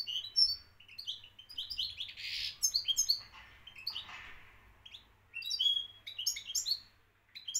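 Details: Moroccan champion European goldfinch in full song: rapid, high tinkling twitters and short rising notes run together, broken by a harsher buzzy burst midway, then more fast liquid trills.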